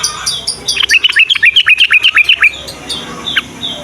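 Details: Sooty-headed bulbul singing in the morning, a recording meant to lure young bulbuls into calling: a quick run of about a dozen bright, clipped notes that drop and rise, followed by softer scattered chirps.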